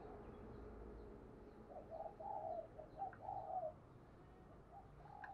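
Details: Spotted dove kept as a lure bird, giving a short run of soft, hoarse coos in the middle of the recording over a steady low hum and background noise.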